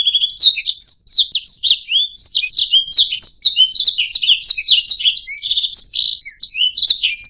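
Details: Continuous canary warbling, a master song meant for teaching other birds to sing, made of quick rising and falling chirps strung into rolling trills, with no breaks and a clean, quiet background.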